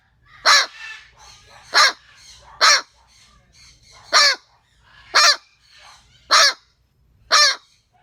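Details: An angry pet parrot, likened to a chihuahua, scaring the neighbours with seven loud, raspy, bark-like squawks about one second apart against a quiet background.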